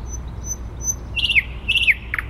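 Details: Thrush nightingale in the centre of Warsaw, 12 May 2020, giving two short falling whistled phrases and a clipped double note after a quiet start with a few faint high ticks, with low urban rumble beneath.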